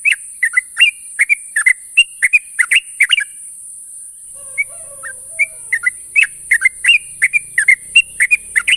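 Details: Sooty-headed bulbul morning call to companions: brisk series of short rising-and-falling chirps for three seconds, a brief quieter stretch with a faint lower sound, then the chirping resumes steadily; constant hiss.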